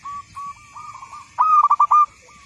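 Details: Local zebra dove singing on a training master recording: a few short level coos, then a loud bubbling phrase of rapid trilled pulses that ends in a held note.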